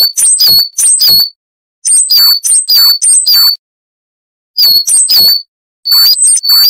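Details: Coal tit, a foreign bird whose wucit-wucit song is used to train cage birds, giving short clusters of two to four sharp, high, downslurred whistles separated by brief pauses.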